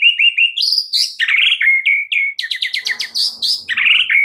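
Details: White-rumped shama delivering 'isian' filler song, meant to prompt a stalled caged shama to sing: nonstop varied song of whistled slurs followed by a rapid series of sharp clicking notes.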